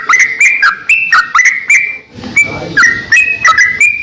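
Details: Greater green leafbird, a kept songbird used as a master tutor bird, singing in lively full voice: loud whistled phrases near one pitch, each opening with sharp clicks and sliding notes, delivered in quick bursts with a short pause midway.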